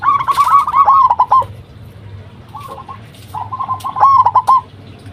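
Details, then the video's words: Lure song of a local zebra dove, meant for calling other zebra doves into answering. Fast, bubbling runs of short rolled notes form two loud bursts, separated by a quieter low murmur. "Perkutut Lokal Gacor RAJA PIKAT Ahlinya Bikin Semua Burung Perkutut Pada Nyaut"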